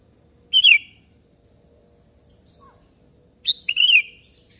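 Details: Sooty-headed bulbul, called kutilang kebo, calling to a rival that joins in; a short fluty warble, a pause of nearly three seconds, then a longer bubbly phrase of several quick slurred notes.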